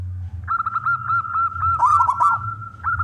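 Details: Singing male local zebra dove, used to coax other doves into calling: a rapid series of short, clipped cooing notes at an even pitch, breaking into a quick rolling trill near the end, with low background hum.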